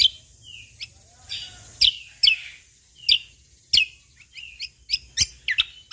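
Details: Sumatran leafbird, or cucak kombo, singing briskly: short sharp notes that drop quickly in pitch, mixed with softer sliding whistles, arriving in irregular spurts and becoming crowded toward the end, over a faint hiss.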